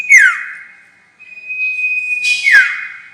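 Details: Lure call of a sirtu for catching birds: a falling slurred note, then a long flat whistle that ends in another sharp downward sweep with a burst of buzzy sound.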